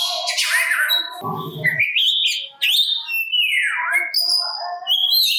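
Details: Oriental magpie-robin (kacer) song aimed at drawing replies from other magpie-robins; varied whistles, a low rasping burst, rising slurs and a long falling whistle, with mixed chattering notes throughout.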